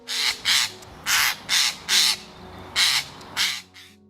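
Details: Eurasian jay giving one of its most distinctive calls: harsh, rasping screeches, about seven short bursts in four seconds at an uneven pace, over faint low background music.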